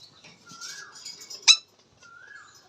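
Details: Indian ringneck parakeet, said to be talking: two smooth, slightly rising whistled notes framing a single loud, harsh squawk midway, with soft chattering in between.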